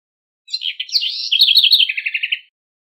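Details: A house wren, said to be singing to teach its chicks, gives a quick, bubbling phrase of high warbled notes ending in a fast run of repeated trills, about two seconds long.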